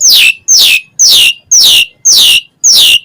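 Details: Asian pied starling giving loud, harsh, descending rasping notes, six in a row at about two per second, evenly spaced.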